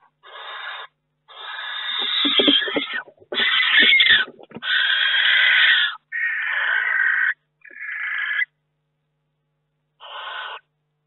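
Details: Barn owl inside a nest box during a May week, as eggs hatch and a third barn owl visits: a run of seven rasping hiss-screeches of uneven length, with soft knocks and scuffles between the first few.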